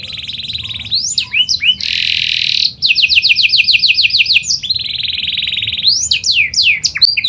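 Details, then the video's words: Panda canary singing continuously as a lure to make other canaries sing: high swooping whistles, a dense buzzy roll, then a long run of rapid repeated notes and more sliding phrases. "PANCINGAN KENARI PANDA GACOR"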